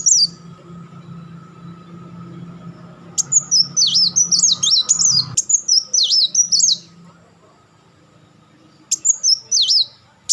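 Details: Kolibri wulung, the purple-throated sunbird, fires a long run of quick, high, slurred notes, roughly two a second. It pauses, then resumes briefly. Low droning noise runs early on.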